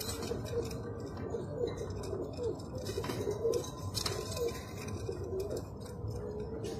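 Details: Jaafari pigeon, called the smallest kind of pigeon in the world, cooing in a series of low, rolling, slightly tremulous notes roughly every half second to one second, set against persistent hiss and a few brief clicks.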